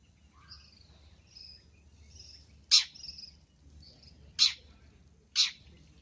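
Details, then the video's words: Long-tailed shrike on a training recording full of fill-in song: soft, thin whistled phrases first, then three loud, harsh rasping notes spaced one to two seconds apart. "MASTERAN BURUNG CENDET FULL ISIAN GACOR"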